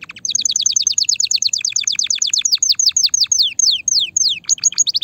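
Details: Canary singing to prepare females for mating: a steady series of sharp downward-slurred notes, quick at first and then slowing, followed by a short high trill.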